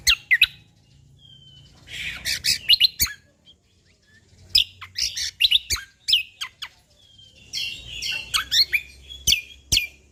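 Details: Sumatran leafbird, the cucak kombo Lombok, delivering an active natural-style song. Clusters of sharp chirps, buzzy twitters and sliding whistles pour out in three bursts separated by short quiet gaps.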